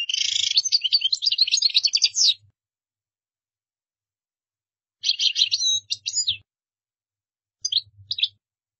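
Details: European goldfinch song in the style called gdara, played for other birds to learn by copying: bright, rapid twittering and liquid trills in three bursts separated by silent pauses, the first burst longest, in a quiet small room.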